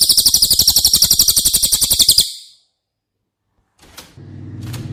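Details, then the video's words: Cililin singing for caged White-rumped shamas to learn from: a bright, rapid trill of regular high pulses for two seconds, then silence, a couple of sharp clicks and a low humming background. "Masteran CILILIN Materi Wajib untuk Burung Murai Batu anda!!"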